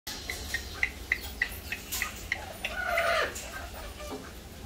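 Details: A cockatoo imitates a lizard with a quick series of dry, clicking chirps, about three per second, then gives a short, harsh, falling squawk, apparently saying "hello".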